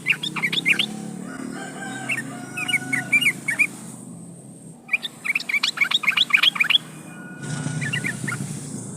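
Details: Yellow-vented bulbul, a strong caller, calling to provoke a rival: bursts of bubbly, chattering high notes in quick runs, pausing and resuming, over a low rumbling background hum.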